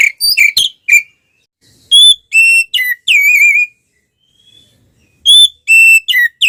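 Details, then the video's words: Fighting oriental magpie-robin, tail spread, giving loud ngeplong song to provoke rivals: clear ringing whistles, some bent or wavering, delivered in short bursts separated by pauses of silence. "SUARA BURUNG kacer gacor NGEPLONG TARUNG BUKA EKOR ini paling AMPUH buat PANCINGAN KACER agar EMOSI"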